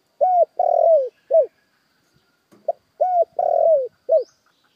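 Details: Spotted dove lure call for attracting wild doves: two cooing phrases, each a short coo, a long wavering coo and a falling final coo, separated by a pause of about a second and a half, in a quiet setting.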